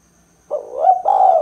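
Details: Spotted dove call of the 'kuk 2' type, for luring and prompting birds. A brief rising coo sweeps into a sustained, slightly wavering note, cut off as the final coo begins.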